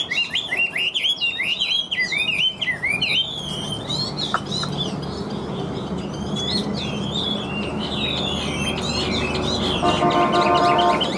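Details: Chinese hwamei with a steady, strong voice: dense rapid whistled phrases packed tightly for about three seconds, then sparser, quieter fragments and a faint tonal hum near the end.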